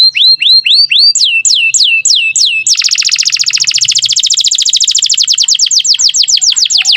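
Canary song: high whistled downward-curving notes repeated about four per second, then a long fast rapid trill of high notes.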